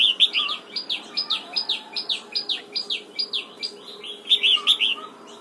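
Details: Red-whiskered bulbul singing in the morning during voice training, pushed toward the double-note wild style; rapid series of short, bright chirps repeated about four times a second, with louder bursts near the start and end.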